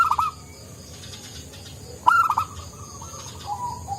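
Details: Local zebra dove singing actively with a soft voice: two short bursts of mellow, descending cooing notes, each a sharp start falling into a softer trailing coo, over a quiet hiss.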